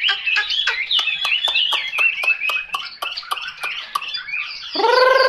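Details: Chinese hwamei song of rapid repeated whistled notes with sharp clicks, nearly four per second, ending in a sudden harsh buzzy burst with stacked overtones.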